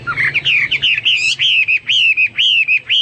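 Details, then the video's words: Hwamei singing vigorously, recorded to teach pet birds: a fast chain of rich, rolling whistles, each note rising then dipping, repeated about twice a second with short breaks. "Burung Hoa Mi gacor"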